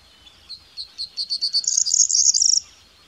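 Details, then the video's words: Song of a corn bunting, clear and close: about eight separate clipped notes accelerate steadily, then merge into a dense, glittering, jangling trill like shaken keys, ending abruptly. "Corn Bunting Call, Grauammer gesang, Bruant proyer chant, Kornsparv läte"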